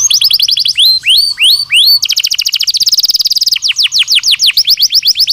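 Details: Singing Belgian canary for daily stimulation and training: repeated falling whistled notes, a rapid high rolling trill, then slower descending slurred phrases, all loud and clear.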